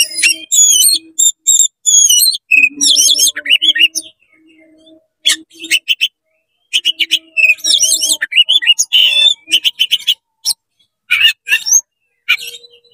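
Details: Oriental magpie-robin singing rapidly to provoke other magpie-robins: rich, varied phrases of rising whistles, trills and scratchy chatter in bursts with short pauses, over faint low steady tones.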